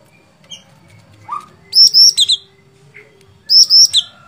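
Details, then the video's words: Sooty-headed bulbul calling in chatty song: a short low upward slur, then two separate clusters of loud, high, sharp whistled notes, three or four per cluster. "Cucak Cungkok Gacor Fighter"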